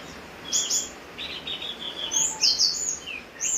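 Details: Javan grey-throated white-eye singing in the rain: short buzzy trills alternate with piercing very high whistles, phrases spaced by brief gaps, over an even hiss of falling rain.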